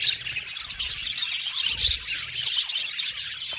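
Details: Budgerigars in a colony aviary, happy chirping: a loud, busy mix of rapid high twitters and short squawky notes from many birds overlapping.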